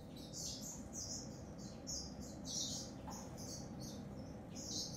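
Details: A grey singing finch gives a rambling, high-pitched song of quick chirps and warbled trills in a steady flow, with low background hum.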